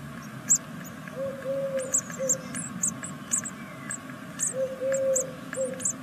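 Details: A nest of great tit nestlings in Veszprém, Hungary, second brood and six days old, gives a busy run of sharp, high-pitched chirps. Two pairs of low, drawn-out tones come and go.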